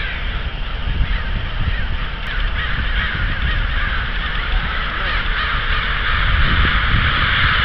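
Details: Flock of crows calling in Davis, with scattered caws among a loud wash of wind or traffic noise that persists throughout the recording.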